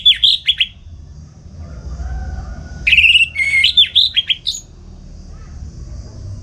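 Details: Morning song of a home-kept orange-headed thrush used to tutor other songbirds; a few rich whistled notes, a pause, then a longer tumbling phrase of varied whistles and slurs.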